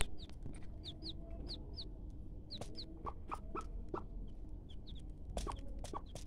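An Aseel hen gives soft, low clucks to call her chicks to food. The chicks answer with thin, high, falling peeps every half second or so over a low rumble.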